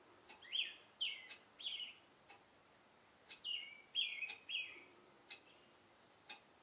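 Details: In a cherry tree in the morning, an Oriental reed warbler sings its love song: rasping, chattering notes grouped in threes, a pause, then another harsh triplet, light clicks in the background.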